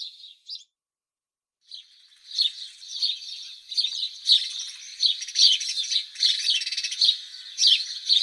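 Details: ;House sparrow song: after a short chirp and a brief pause, a dense, continuous chatter of bright overlapping chirps runs steadily for about six seconds with no other sounds.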